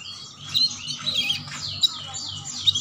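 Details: Lively ngeriwik chirping from a canary, used to lure young canaries into singing: dense, continuous high twittering with arching slurred notes and sharp peaks every second or so.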